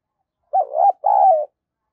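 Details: Close recording of a spotted dove kept as a decoy, cooing keenly: a two-part hollow phrase, the first note wavering and the second long and even, silence around it.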